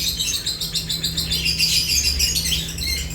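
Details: Chirping lovebirds at feeding time. Quick repeated tweets, about three per second, rise into clearer whistled notes midway, over a faint low hum.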